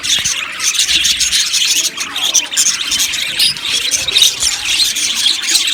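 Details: Many budgies in an aviary colony give a continuous stream of high chirps, squeaks and chattering warbles, with short louder bursts scattered through.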